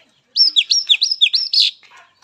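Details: A quick series of loud, looping whistled notes, each dropping then rising, closing with a rough buzzy note, from a wild Oriental magpie-robin used as therapy for young, spotted-phase and non-singing captive birds.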